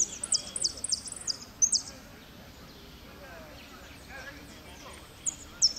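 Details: Goldfinch in 'blanco de repique' song, second at Merlo, 3 January 2016: a fast run of piercing high notes lasting under two seconds, then near silence before two isolated chips, with faint background hiss.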